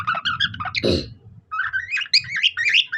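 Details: Budgerigar singing like a cockatiel: chattering warbled phrases in short bursts, then a run of rising and falling whistled notes, with a low rumbling background and a brief rustling burst near the middle.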